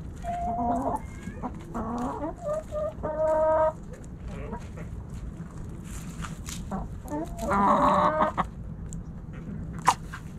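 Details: Backyard chickens snacking at Thanksgiving, hens clucking and roosters present: drawn-out tonal calls and repeated clucks, a loud harmonic squawk near the end, over low background rumble.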